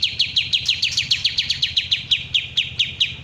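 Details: Bulbul known locally as kapas tembak, original sound: a fast, even run of about seventeen sharp downslurred chips, roughly five per second, with a faint low hum underneath.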